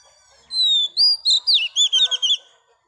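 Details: Female Oriental magpie-robin, a newly caught wild bird, singing to stimulate males: a long slurred whistle, a few bright upslurred notes, then a quick run of short looping whistled phrases lasting about two seconds.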